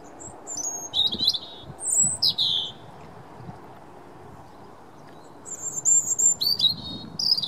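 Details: Robin, 9 March 2017, sings two bursts of high, thin, liquid warbling phrases, separated by a few seconds of quiet, over a faint low background rumble.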